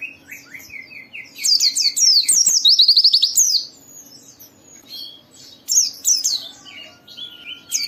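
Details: White-eye song aimed at making other white-eyes sing: a series of lower, evenly spaced upslurred whistles leads into a loud, rapid, high chattering trill, followed by scattered sweeping notes, over a faint hum.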